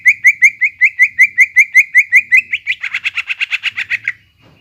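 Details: Greater green leafbird singing to rouse a quiet bird: crisp, evenly spaced chirps about five per second, shifting into a rougher, buzzier rapid chatter before stopping.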